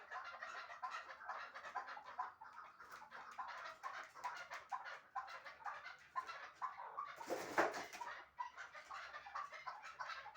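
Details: Two chukar partridges of Shahritus, kept for hunting and called the finest 'mastak', keep up a steady rapid clucking chatter, broken near the seventh second by a short loud noise burst.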